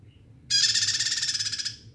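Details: One long, loud, buzzy trill from a bar-winged prinia in full song, made of fast even pulses lasting over a second and fading at the end; faint low hum beneath.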